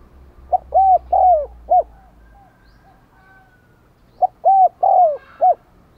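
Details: Vietnamese decoy spotted dove with a 'đồng còi' voice, luring wild doves by cooing. Two low hollow phrases separated by a pause of nearly four seconds, each a brief note, two longer swelling coos and a short closing note.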